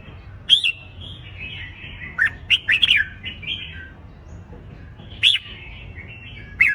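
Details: Red-whiskered bulbul competition song for training birds to sing: short warbled phrases at half a second, then a tight cluster of slurred notes around two to three seconds, a lone note past five seconds and another at the end.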